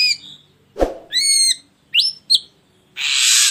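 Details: Ashy drongo in a lure recording: a thud-like burst, then a level harmonic-rich whistle, two sharp rising whistles and a closing broad raspy hiss.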